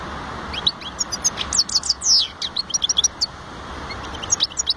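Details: European goldfinch singing: rapid, tinkling twitter of high, sharp chirps and short trills in quick bursts over nearly five seconds, over a steady low background hiss.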